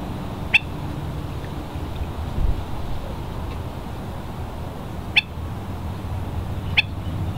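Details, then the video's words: Hawaiian stilts (ae'o, Himantopus mexicanus knudseni) at West Loch Shoreline Park, Pearl Harbor, Oahu, at low tide on March 16, 2013: three sharp, isolated yelping notes spaced seconds apart over steady low wind rumble. "Hawaiian Stilt, ae'o, Himantopus mexicanus knudseni"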